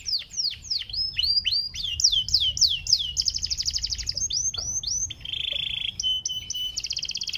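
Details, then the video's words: Panda canary singing a long varied song: rapid repeated down-slurred whistles, buzzy trills and steady tonal notes, phrases changing every second or so, loud and clear with a faint low background hum. "KENARI PANDA LAGU SYAHDU UNTUK PANCING KENARI"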